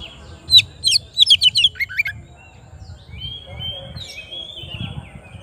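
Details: Oriental magpie-robin calling toward a rival, opening with a quick volley of about a dozen sharp, bright notes in under two seconds, then fading into soft, thin warbling amid low background noise.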